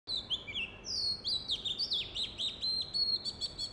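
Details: An Oriental magpie-robin calls spiritedly in Sundarban mangrove forest while rhesus macaques play on a tree: a lively run of clear, high whistles, slurred sweeps and quick chirps, with hardly a pause, over faint hiss.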